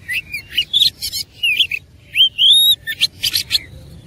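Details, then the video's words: Oriental magpie-robin in fighting mood, singing persistently with a rich filler song: rapid high whistled slurs and buzzy bursts, a brief pause, then long rising clear whistles and sharp chattering notes. "KUMPULAN KACER ISIAN MEWAH NGOTOT GACOR TARUNG"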